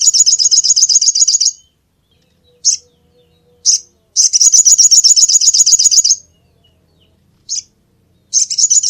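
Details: Little spiderhunter: bursts of quick, sharp, high-pitched chips at roughly four per second, separated by pauses with single spaced notes, in a quiet setting.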